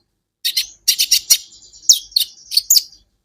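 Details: Kolibri ninja sunbird in a songbird training recording: clusters of two to four bright, very high chips with a thin, sustained whistled tone running behind them.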